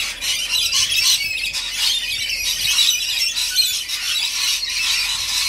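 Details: Shrill, grating squeals from many rainbow lorikeets gathered for feeding, a constant buzzing din that swells and fades slightly every second or so.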